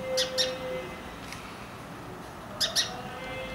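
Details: Indian house sparrow (Passer domesticus indicus) from India giving two quick pairs of short, sharp chirps, one pair at the start and another near the end, separated by a quiet gap over a faint steady hum.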